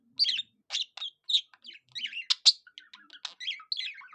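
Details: Budgerigar singing like a cockatiel: a string of short, bright chirps and whistled squeaks, some rising, some falling, delivered in an uneven, chattering rhythm.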